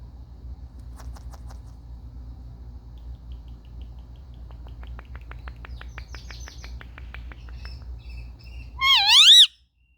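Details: Captive Indian ringneck parakeets playing, taped with a phone: quiet scattered ticks building into a steady series of sharp clicks, ending in a loud, wavering, harmonic screech.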